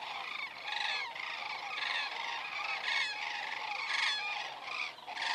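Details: A flock of common cranes passing overhead in Estonia on 27 September 2017, 19:26, from a crane webcam: dense chorus of bugling, rattling calls, with some louder bursts standing out around the third and fourth seconds.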